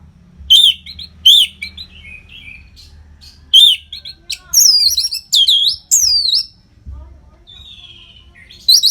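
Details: Orange-headed thrush (anis merah) giving uninterrupted training song for competition birds: repeated sharp whistled phrases about every second, then loud high downslurred whistles, with quiet gaps between.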